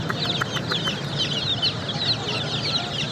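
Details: Baby chicks chirp in a thick chorus of high peeps, with a quick run of soft tapping knocks at the start beneath the calls.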